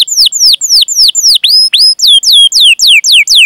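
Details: Canary training song used to stir young or silent canaries into singing: clear, loud downslurred whistles repeated about four times a second in an even series, some with a short high note before them.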